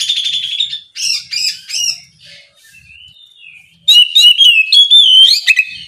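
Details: Morning ngeplong song of an Oriental magpie-robin, meant to draw a rival's reply: rich, rapid sequence of bright whistles, chattering trills and squeaky notes, softer gap midway, then a loud run of rising and falling whistles.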